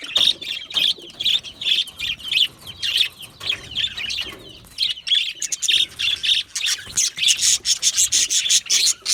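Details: Flock of Australian budgies in an aviary giving high chirps and warbling chatter, bursts of short notes that quicken toward the end into rapid clicking twitters.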